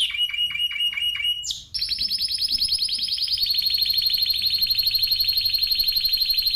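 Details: Spanish timbrado canary song: a few spaced repeated notes, then a long continuous rapid trill that slides slightly downward and runs on steadily.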